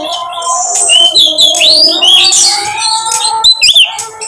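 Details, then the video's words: Oriental magpie-robin trigger song: a flowing run of clear rising and falling whistles, then crisp upslurred notes near the end, over a steady humming drone. "pancingan KACER paling ampuh bongkar materi"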